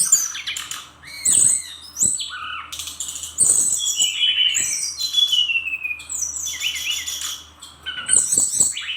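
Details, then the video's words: Brown-chested jungle flycatcher, a Bali bird in full 'gacor' song, rapid and packed with inserted phrases: high thin whistles near the top of the range, looping mid-pitched notes and scratchy bursts, with a short lull near two seconds. "Kumpulan Kicauan SRDC Gacor Nratak Nembak Isian"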